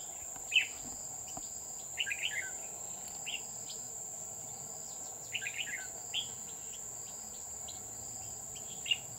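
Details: Red-whiskered bulbul decoy bird singing during trapping at Núi An Phú, Chùa Hương, on 20 October 2019: short warbled phrases in scattered bursts, some quick chattering runs, over a steady high insect drone.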